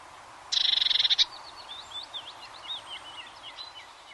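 A Eurasian blue tit gives a quick, high, bright trill of about a dozen even notes lasting under a second, followed by faint thin chattering from other birds.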